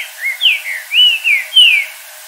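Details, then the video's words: Wild Green-winged saltator at dusk, 'virando canto' (switching its song): five rich, slurred whistled notes, each rising then falling, delivered in a steady loud phrase with a quiet pause after. "Trinca ferro virando canto durante o entardecer na natureza !!!"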